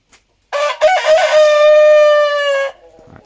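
A Sussex rooster gives one full crow: a few choppy opening syllables, then a long, loud, brassy note held steady for nearly two seconds.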